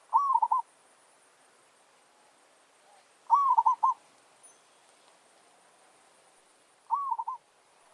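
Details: Zebra dove challenge song from a lure bird in a village setting: three trilled, bouncing coo phrases at uneven gaps of roughly three seconds, the background otherwise still.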